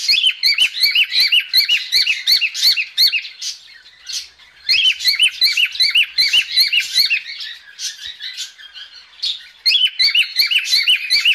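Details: Female cockatiel giving a mating call, recorded indoors: loud, rapid bursts of sharp high chirps, about two or three per second, in runs of several seconds separated by short pauses.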